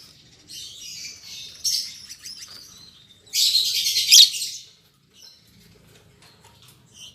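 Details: Newly paired lovebirds, an albino MM male and a lutino MM female, kept caged: a scratchy twittering run, then a loud harsh chatter of over a second, followed by near quiet.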